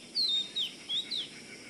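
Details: Four sweet, high whistled notes from an Oriental magpie-robin, each a short downward slur, spaced about a third of a second apart against quiet background noise.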